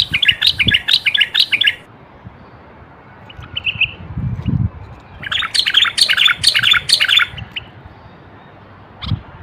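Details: A male common bulbul from Morocco sings to prompt males to sing and prime females for mating. It delivers two lively, bubbling phrases of quick chirped notes, separated by a short soft note and a pause, over faint low knocks.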